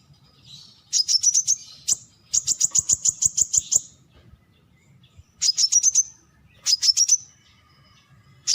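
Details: Brown-throated sunbird producing repeated bursts of fast, high-pitched chipping notes, several runs of five to twelve ticks with short pauses, over a faint low rumble.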